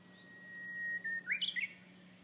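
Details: Japanese bush warbler at Kiri Church, Kamigoto, Nagasaki, Japan, singing in calm stillness: one long level whistled note, then a short burst of rising, tumbling whistled phrases.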